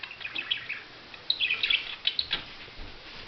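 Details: Budgerigar twittering softly, with scattered thin chirps followed by a few brighter squeaky notes and warbled clusters over faint background hiss.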